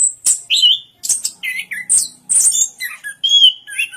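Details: Short burst of Orange-headed thrush song: loud high whistles, slurred rising and falling notes and a steady clear whistle near the end, separated by brief pauses.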